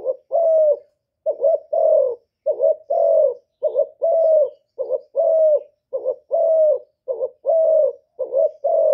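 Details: Spotted dove used as a decoy to lure wild doves, Cà Mau, Vietnam. Steady run of paired coos: a quick wavering note, then a longer, smooth, falling coo, repeated about once a second with no other sounds.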